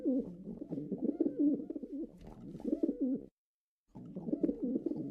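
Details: Low, burbling coos from pigeons, continuous throaty warbling phrases broken by a brief pause, with soft rustling close by.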